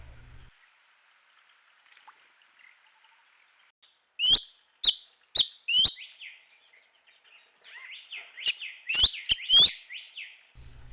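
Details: Bronzed Drongo at Rocky Pool, Huai Khayeng Nature Park, Kanchanaburi, Thailand, in March, recorded by trail camera, giving sharp, rising whistled notes in loose bursts, then twangy, chattering phrases, all high-pitched; faint background hiss.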